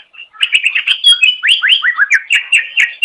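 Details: Continuous greater green leafbird song from a pet-bird tutor recording: a dense run of ringing, down-slurred whistles and sharp chips, delivered rapidly without pause.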